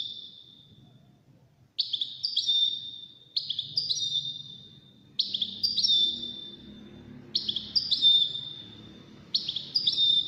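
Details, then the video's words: Song contest between five wild-caught European goldfinches: one bird repeats short, high twittering phrases about every two seconds, each ending in a drawn-out whistle, while low indistinct noise runs underneath. "مسابقة افضل تغاريد 5 حساسين ويدانية"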